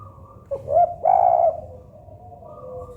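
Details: Local spotted dove cooing: a short rising note, then a longer, louder drawn-out coo, with soft low background hum.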